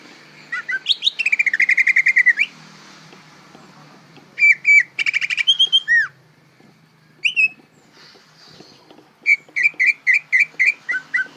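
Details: Greater green leafbird, a young bird still learning its song, gives rapid trilled bursts and drawn-out whistles, pauses, then single down-slurred notes. A closing series of about eight short whistles is evenly spaced.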